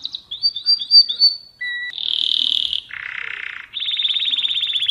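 A mosaic canary sings a varied song: quick high whistled notes, a pure tone, then long buzzy trills and rapid rattling rolls, with nothing else heard.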